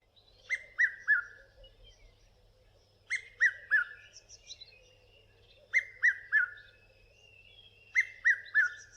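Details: A Red-chested Cuckoo gives its loud, whistled three-note 'piet-my-vrou', falling slightly, repeated four times about every two and a half seconds; a Diederik Cuckoo may be calling in the background among softer chirps.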